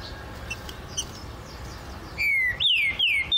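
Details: Green-winged saltator in a flight cage delivering a short phrase of bright whistles: a long falling note, then two strong swooping notes that rise and fall, loud against a low background hiss.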